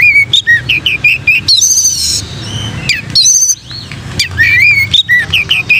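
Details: Oriental magpie-robin delivering a vigorous "gacor plonk" song meant to train and stimulate other magpie-robins: rapid runs of sharp, high whistled notes, rising and falling slurs and buzzy bursts in dense phrases, with low background rumble.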